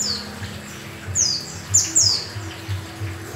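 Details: A yellow-breasted Oriental white-eye singing actively gives a few very high, thin, quickly falling notes in a brief burst, over a low steady hum.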